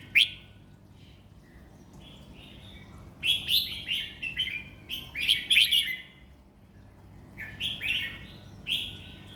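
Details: A caged competition red-whiskered bulbul sings easy-going phrases: clusters of liquid, chirpy whistled notes in irregular bursts, quiet gaps between, with a constant low background hum.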